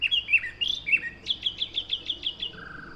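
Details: Black-headed Grosbeak song: sweet, rich whistled phrases rising and falling, then a quick run of repeated notes. Its cadence and volume are robin-like, but it is smoother and includes a "twirr" sound that is not robin-like at all.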